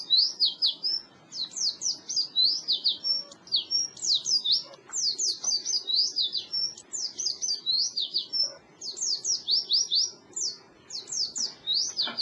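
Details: Oriental white-eye song for coaxing non-singing birds: steady high, thin twittering phrases of quick downslurred and upslurred whistles, repeated in short bursts over a faint low background hum.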